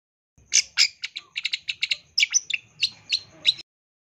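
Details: Long-tailed shrike, known as cendet, singing a training recording full of rich fill-ins and bursts: a quick sequence of sharp, high chirps and clipped notes, some doubled, about a dozen within three seconds, in otherwise quiet surroundings.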